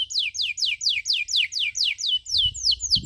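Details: Canary 'cuit cuit' chirping used as tutor audio for young birds still learning: steady, evenly spaced high downslurred chirps, roughly three per second, with a faint low rumble near the end.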